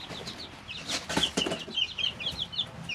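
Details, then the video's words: Three-week-old brooder chicks cheep rapidly, about three notes a second, with a sharp burst of flapping and scratching in the middle. "Just Chicks - Life in the Brooder"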